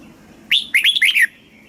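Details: Red-whiskered bulbul, Thailand, southern master-phrase song for rousing caged birds and tutoring young: one short phrase, a rising opening note then three fast, liquid, warbled notes.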